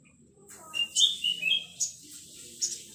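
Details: Young male olive-backed sunbird singing actively: a few short, thin, high whistled notes, slightly wavering and descending, scattered over three seconds against low background hum.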